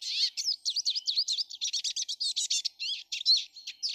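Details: Many Eurasian siskins in a garden on 19 March 2013, giving a dense, fast twittering of high chirps and short trills with quick rising-and-falling notes, nearly without pause.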